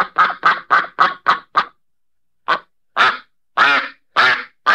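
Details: Duck quacking: a quick run of six harsh, nasal quacks, a pause of about a second, then five more louder, spaced quacks. The background is silent.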